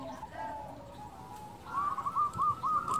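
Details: Local zebra dove call meant to provoke other doves into replying; after faint lower cooing, a brighter rolling, trilled coo phrase rises out of steady background noise.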